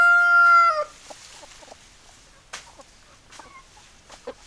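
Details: A rooster's crow ends on a long, held, ringing note that drops off, after which quieter hens keep up scattered clucks and short calls.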